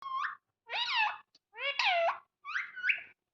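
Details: A pet talking parrot, said to be angry, gives four harsh, nasal squawks in about three seconds, each bending up and down in pitch, with short pauses between them.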